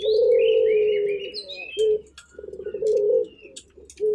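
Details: Turtle dove opens with a long, level, mellow coo, then gives a brief note and a stuttering, rolling phrase. Excited chirping of small birds overlaps at the start.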